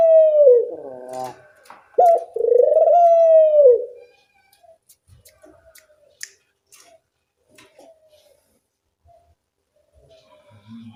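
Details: Dove calling to train other doves: two loud, ringing coos in the first four seconds, each with a sharp rising start, followed by quiet with scattered clicks and taps.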